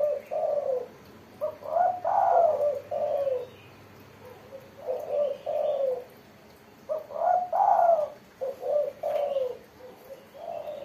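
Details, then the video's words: Spotted dove singing steadily in the crisp 'mersik' style: repeated mellow, hooting coo phrases, each a short note followed by a longer, louder one and a trailing note, over about ten seconds with short gaps. "burung tekukur derkuku gacor suara mersik"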